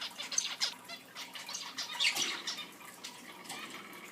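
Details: Captive pet Zebra finches (Taeniopygia guttata) chirp in quick, overlapping bursts of high, nasal beeps.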